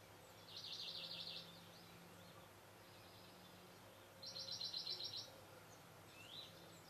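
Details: A male great spotted woodpecker at Camorritos, Cercedilla, on 16 May 2009 gives two bursts of fast, high, chattering notes about three seconds apart, over a steady low hum.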